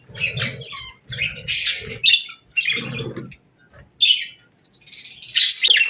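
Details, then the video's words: Budgerigar kept as a pet making short high chirps and squeaky notes in separate bursts about a second apart, mixed with low thudding handling noise. "Parrot Sounds | Budgie Videos"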